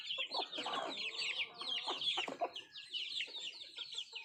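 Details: Feeding country chickens produce bursts of high, slurred chirps packed closely together, with some lower clucking and pecking knocks in between.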